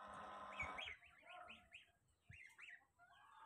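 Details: Goslings searching for their mother: a harsh noisy burst, then a string of rising-and-falling peeps, spaced irregularly, against steady background noise.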